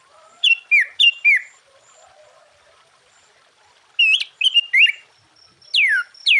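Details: Sooty-headed bulbul singing energetically, used to provoke and lure other bulbuls: two bursts of loud, clear whistled notes, each bending down from high to mid pitch, in quick groups of two or three, with faint warbling between bursts.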